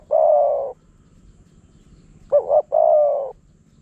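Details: Spotted dove, a wild bird attracted by a decoy in Phrae, Thailand, giving a long soft coo, a pause, then a quick two-part note leading into another extended coo.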